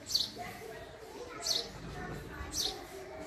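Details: Single high, clipped house sparrow chirps, three of them spaced a little over a second apart, with faint murmuring noise underneath.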